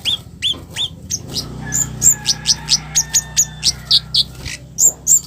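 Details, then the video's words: Scarlet-headed flowerpecker harsh call to provoke other flowerpeckers into answering; a run of rapid, evenly spaced high ticks, about four per second, between looser downslurred chips. "Suara kasaran Kemade baret merah || cabe cabean || cit keres || bikin Kemade lain langsung respon"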